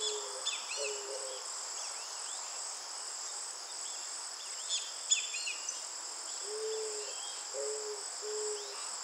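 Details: Eared dove (Zenaida auriculata) singing: soft, low cooing notes in short repeated bursts at the start and again after six seconds, under a steady high shrill insect drone, with scattered chirps from other birds.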